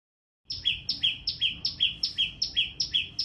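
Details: Small bird calling very loudly: a steady run of shrill two-note chirps, each a high note dropping to a lower one, about two and a half per second, starting after half a second of silence.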